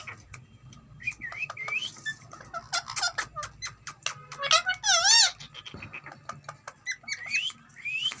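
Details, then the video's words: Green ringneck parrot, described as talking, gives scattered short rising chirps and clicks. These build to a loud wavering trill near the middle, then thin upswept squeaks, over a soft room hum. "talking parrot"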